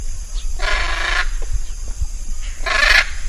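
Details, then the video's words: Two loud, raspy squawks from a hyacinth macaw, each about half a second long and roughly two seconds apart, over a steady low rumble of wind or handling noise. "Canto del guacamayo jacinto"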